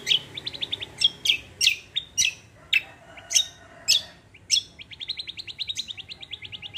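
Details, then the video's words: Cucak kombo, known also as kecial kombo, in rolling gacor song: quick bursts of shrill chirps, slurred whistles and rapid stuttering note trains that speed into a buzzing rattle near the end. "CUCAK KOMBO KECIAL KOMBO ROLL TEMBAK GACOR COR"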